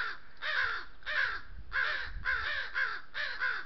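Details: Crows mobbing a thirsty coyote drinking at a water trough, Southern Sierra Nevada oak woodland, asserting ownership of the trough: six loud, hoarse, slightly descending caws in quick succession, each about a third of a second long.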